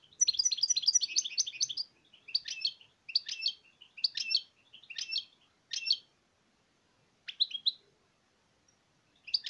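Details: Goldfinch opening with a fast, liquid run of twittering notes, then breaking into separate short chirpy phrases spaced roughly a second apart, ending with a few isolated high chips.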